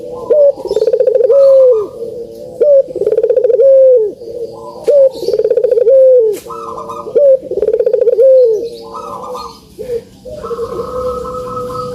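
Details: Cooing of a Barbary dove, known locally as puter, played to coax reluctant birds into calling. A trembling rolled burst is followed by a drawn-out descending coo, repeated roughly four times before a steadier held note ends the clip.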